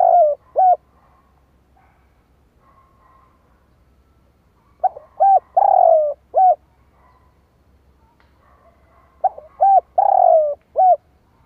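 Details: Spotted dove decoy calling to draw in wild doves: three phrases of low hollow coos, each a short note, a paired coo, a long drawn-out descending coo and a final short coo, separated by pauses, with faint low hum beneath.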